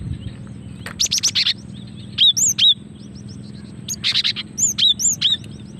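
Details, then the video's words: Cinereous tit female, calling to lure birds and spark song: a burst of harsh buzzy notes, then clear high whistled upslurs and downslurs, another buzzy cluster, then more whistles, with a faint low hum behind. "Suara asli gelatik betina untuk pikat dan pancingan"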